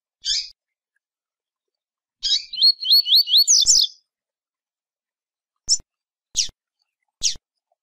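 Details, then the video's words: Double-collared seedeater delivering its Tui Tui song, a fast string of about seven swooping whistled notes ending in a higher flourish, framed by several isolated sharp chip notes repeated at intervals under a second apart. "Coleiro Tui Tui"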